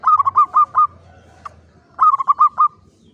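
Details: A caged zebra dove gives two quick bursts of five soft, rolling coos, mid-pitched and evenly spaced, the second burst after a brief pause.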